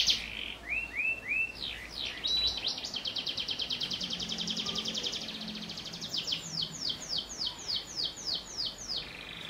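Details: Loud canary song with prinia-like phrases, meant for tutoring young canaries: quick upswept chirps open into a long, rapid rattling trill, then a run of about ten clear descending sweeps. Faint low murmur underneath.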